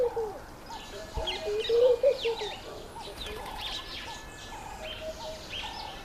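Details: Laughing dove courting, trying to get a female's attention: soft, low, hollow cooing notes rise and fall in a loose series, while many other birds chirp and twitter at higher pitch throughout.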